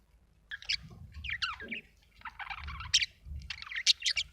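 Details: Budgerigar chirping in a steady stream of warbled, squeaky notes and short chatters, with a low rumbling background noise underneath throughout.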